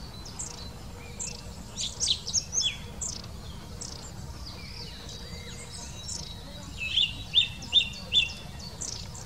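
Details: Long-tailed tit calling in Wittlich, Germany, recorded in 2019: thin high chirps and short trilled notes, a cluster around two seconds and another run of three to four sharp notes near seven to eight seconds, over steady low background rumble.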